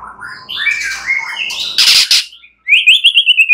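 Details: White-rumped shama song, a night-time lure to set birds singing: varied sliding whistles around mid-high pitch, a harsh burst, a short pause, then a fast rising-falling warbled trill.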